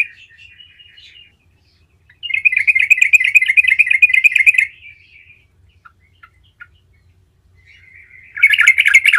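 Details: Lure song of a gacor yellow-vented bulbul, meant to make any bulbul answer at once: a soft twittering phrase, then a loud two-second burst of rapid rolling chatter, quiet gaps with scattered notes, and another loud burst at the end.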